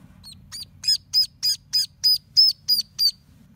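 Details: Six orphaned ducklings, rescued from a storm drain and hand-raised, on the first day of summer, peep in a quick run of about ten high, bright, slightly downslurred notes, roughly three per second, over a faint low hum.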